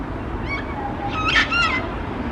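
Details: A sulphur-crested cockatoo perched high on a street light in Melbourne gives a few soft, nasal, rising squawks and a brief wavering whistle over steady city hum.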